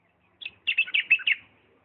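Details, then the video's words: Diyala bulbul, 'lisanat' style: a brief introductory note followed by a run of rapid, mellow warbled syllables lasting under a second. "اجمل تغريد بلبل ديالى طور لسانات راقيه"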